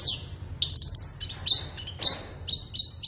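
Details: Flowerpecker song played to train captive birds in the morning or afternoon: a high buzzy trill followed by evenly spaced piercing chips about every half second, each with a short tail.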